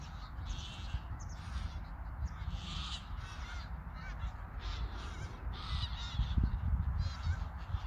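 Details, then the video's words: A migrating flock of geese in flight above Koedijk, Langedijk, in the Netherlands, summer evening of 21 August 2019; irregular overlapping honks throughout, distant and somewhat muffled by a strong low wind rumble. "Vogeltrek Ganzen/ Migration Gooses/ Migration d'Oies"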